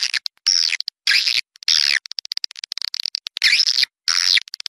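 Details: Outdoor swiftlet sound made in Malaysia for drawing swiftlets into a nesting house: dense harsh twittering bursts alternating with rapid runs of short dry clicks, almost continuous, with only brief pauses between bursts.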